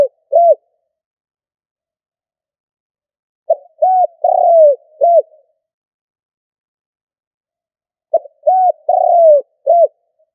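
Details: Cà lăm stuttering coo of a spotted dove kept as a decoy: two full phrases about 4.5 seconds apart, each a brief lead note, an arched coo, a longer falling coo and a short final note.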